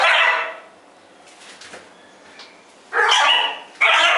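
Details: One of a pair of scarlet macaws on a farm gives three loud, harsh, raspy squawks, one long and then two close together, with quiet faint background sounds between.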